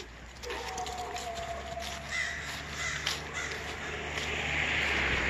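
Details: Several crows mob an injured barred owl that was hunting outside, giving harsh, rasping caws in quick, uneven bursts, several a second, until a Doberman chases them off. A steady low hum runs underneath.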